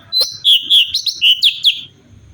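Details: Short phrase from a singing cucak cungkok bulbul, recorded for training songbirds: about seven loud, ringing whistled notes, some rising and some dipping, in quick succession.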